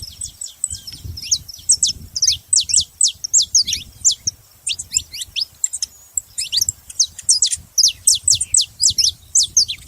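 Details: Saffron finch giving a long run of crisp, steeply falling high chirps in rapid irregular series, over a low rumbling background noise.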